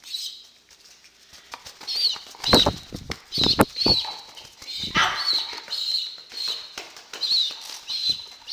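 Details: A hand-fed female pigeon about weaning age, excited at syringe feeding time, gives thin, high squeaky peeps about every half second, with loud bursts of wing flapping and handling noise.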